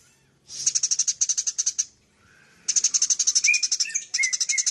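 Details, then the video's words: Full chattering of a Eurasian tree sparrow as a tutor for cage birds: a quick series of high buzzy notes, a pause, then a longer rapid run ending with short falling whistles. "Suara burung gereja gacor full nyrecet"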